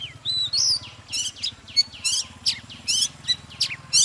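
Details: Fired-up wild-caught mature Oriental magpie-robin in morning song: sweet whistles mixed with buzzy, trilled high notes, roughly two phrases a second, over a steady low mechanical hum.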